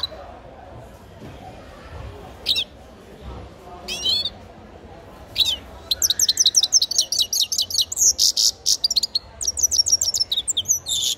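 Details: Grey-crowned goldfinch nestling in song: a few scattered high chirps over several seconds, then a long, rapid, tinkling chatter of clipped notes with short breaks in between.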